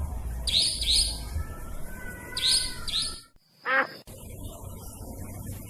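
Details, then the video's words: Trapping lure of a nightjar: paired sharp rising chirps, then a faint whistled tone, a brief silence and a separate falling, wavering whistle, all over low background noise. "Suara pikat burung cabak ribut ampuh"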